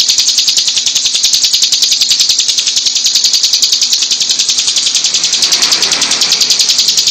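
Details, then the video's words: A hill prinia delivers a long, unbroken run of rapid, dry, high-pitched notes in a tight, steady rattle. No other sounds are heard. "CIBLEK GUNUNG EDAN GACOR TEMBAKAN RAPAT SUPER PANJANG"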